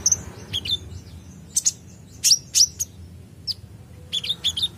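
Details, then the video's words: Olive-backed sunbird (kolibri ninja), a raw untrained bird singing actively: sharp, high thin chirps and short downslurred tweets in scattered bursts, with quiet pauses between them and low background hum. "Konin bahan langsung respon bunyi dengar konin gacor ini"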